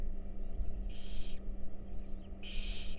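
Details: Wild barn owl babies in a monitored nest box during a feeding, giving two harsh, broadband hissing bursts about a second and a half apart over a steady low electrical hum.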